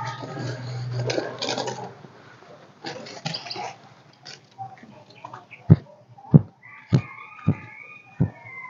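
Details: Golden-crested myna singing, used as a lure to call flocks and not yet in full song: five sharp, clipped notes about every half second, some with a ringing whistled overtone, after several seconds of rustling and handling noise.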